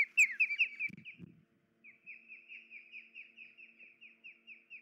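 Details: Nesting osprey, a female whose injured leg kept her from tearing fish for the chicks, July 2019: loud piercing chirps with two soft thumps, a brief pause, then a steady, softer chain of whistled chirps, about four per second.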